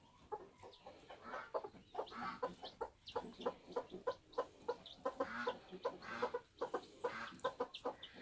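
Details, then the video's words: Around newly hatching bantam chicks on a homestead, a long run of rapid, clipped clucks comes every fraction of a second, some doubled, over soft rustling and scraping noise. "Bantam Chicks Hatching"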